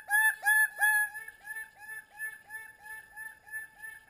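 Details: Greater bird-of-paradise, Paradisaea apoda, giving a fast series of loud, nasal, harmonic notes, each dropping slightly in pitch, about three per second; the first three strongest, the rest steadily fading.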